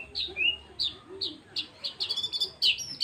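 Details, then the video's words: White-rumped shama giving a quick series of short high whistled and chirped notes, some sliding down, others rising, clipped and bright with faint low hum behind. "murai batu tembakan mewah"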